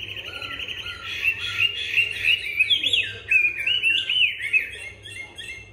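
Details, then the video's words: Newly arrived caged Chinese hwamei swinging its rump while singing in a supple voice: dense, fast chains of bright whistled notes, rising and falling, delivered almost without breaks. "Họa Mi "quay mông" hót mà giọng dẻo kẹo mới về hôm nay"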